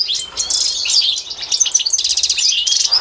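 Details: Training song of an authentic Constantine goldfinch: bright, tumbling high twitter with buzzy slurred notes, a quick rattle partway through, then more rapid chirps to the end.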